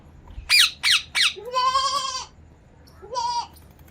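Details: Ringneck parrot giving three sharp, falling screeches in quick succession, then a longer nasal, buzzy squawk and one shorter squawk after a pause, with quiet background.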